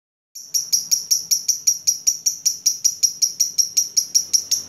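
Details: Lovebird master recording used to train other birds: after a short silence, sharp high chirps start and repeat steadily at about three per second, evenly spaced and bright, with no other sounds.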